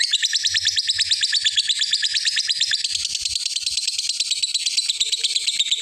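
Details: Long ngekek chatter of a lovebird calling a rival, a continuous rapid train of scratchy, high pulses with steady rhythm and loudness; faint low knocks in the background.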